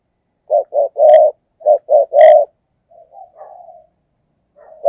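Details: Decoy spotted dove giving the 'thúc gù' coo used to provoke wild doves: two short hollow coos then a longer drawn coo, the phrase given twice, followed by softer trailing coos. Quiet background.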